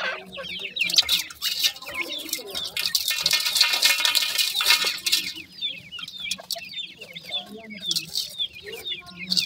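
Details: Baby grey francolins chirping together: rapid high, thin peeps dropping in pitch, about two a second, overlaid in the middle by a long stretch of harsh rustling, with a faint low hum.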